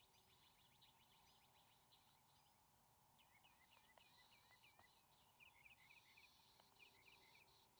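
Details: Two juvenile bald eagles at their nest on May 28, 2020, scrambling for a fish as the adult male delivers it. Rapid, high, thin chirping notes rise and fall in quick runs of several per second, faint over a steady background hum.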